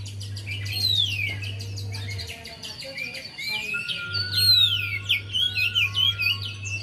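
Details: Song of a Javan white-eye as a lure for a reluctant singer: lively, tumbling high twitters with sweeping whistled slurs, growing denser in the second half, with a steady low hum and a faint thin tone.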